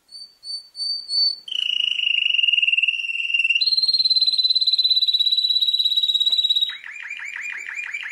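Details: Canary of champion standard: a few soft whistled notes, then a sustained rapid trill that steps up in pitch, ending in quick repeated downward-sweeping notes.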